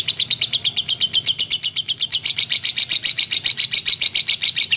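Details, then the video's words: Lovebird chattering hard as a song model for magpie-robins: rapid high-pitched chirps nearly four per second, growing louder and denser in the second half. "Burung Love bird gacor untuk isian murai batu"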